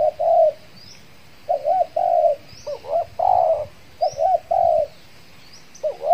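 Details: Trained spotted dove decoy, recently through its moult, calling to attract wild doves in Kepri: a wavering rolled coo followed by a held coo, repeated several times, with distant thin chirps from small birds.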